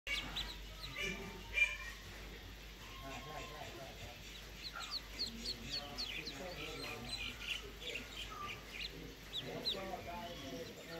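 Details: A brood of two-day-old call ducklings peeps constantly, with high, thin overlapping chirps, while a lower murmur runs underneath.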